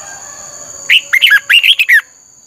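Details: Red-whiskered bulbul, recorded as a lure bird for song training in the 'căng lửa' manner, gives one brisk phrase of five or six loud, bubbly, up-and-down whistled notes over a persistent high electronic tone.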